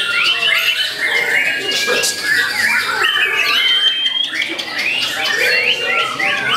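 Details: Young white-rumped shama for competition, about eight to nine months old, producing a fast, complex song of rising and falling whistles, chattering bursts and rasping squawks.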